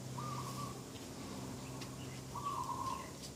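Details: Morning dove call by a garden, 2 October 2021: one short flat coo, then a longer rolling coo about two seconds later, with a steady low droning hum and faint bird chirps behind.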